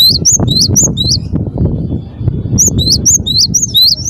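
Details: Cinereous tit (gelatik batu) giving high, upward-sweeping whistles in two quick series separated by a gap, over thumping low background noise.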